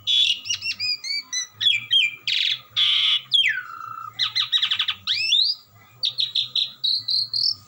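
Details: Melodious, unceasing song of an Asian pied starling mixing clear whistles, grating buzzy bursts, a long downward slur and rapid rattling trills, with a low steady hum behind.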